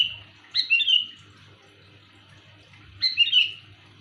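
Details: Sooty-headed bulbul luring call, loud and clear: two sweet, ringing phrases with a quick upward flick and a rolling fall, spaced about two and a half seconds apart, against quiet background hum.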